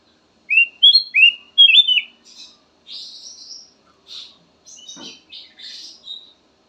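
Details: Black-crested bulbul song variation: four loud, clear whistled phrases that rise and fall, followed by softer, buzzier chattering notes at a higher pitch.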